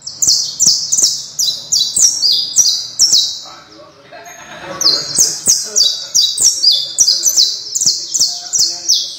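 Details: Canario criollo singing a loud, high, buzzy trill of repeated notes, roughly three per second, with a brief pause near four seconds before the rhythmic phrases resume.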